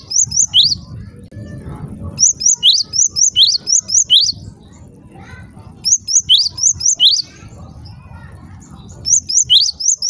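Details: Java sparrow call intended to make other Java sparrows call: four short bursts of quick, shrill rising chirps, separated by pauses filled with low background noise.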